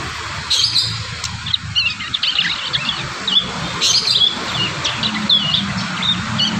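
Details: Young prinias working out their song in natural surroundings in Indonesia: continuous high, squeaky twittering with rapid warbled notes and short whistled slurs, over constant background hiss.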